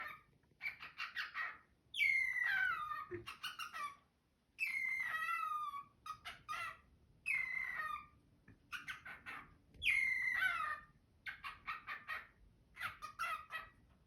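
A cockatiel sings a chattering warble broken by loud, falling whistled phrases.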